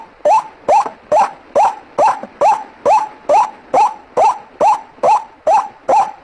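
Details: White-breasted waterhen calling, played as a trapping lure: about fourteen harsh, nasal notes that each bend upward, delivered in a tight, regular rhythm slightly faster than two per second.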